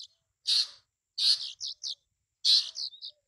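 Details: Bay-backed shrike with three loud, harsh grating notes, each followed by one or two shorter buzzy chirps, in a stop-start pattern.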